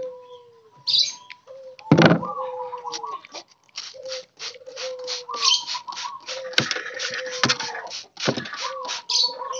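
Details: Group-kept wild spotted doves under daily care coo repeatedly: a series of low, slightly falling notes, each about half a second, broken by loud knocks and steady rhythmic scratching noises.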